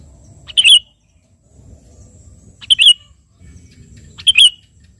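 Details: Sooty-headed bulbul in active song, calling a rival: three short, loud, bubbly warbled phrases, each under half a second, spaced about two seconds apart over a faint low rumble.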